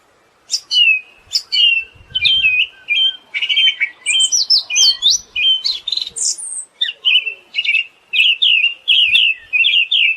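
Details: Energetic Siberian thrush song of sharp whistled notes, each with a clicky high attack, mixed with rising and falling high squeals mid-phrase, then a brisk series of repeated downslurred whistles.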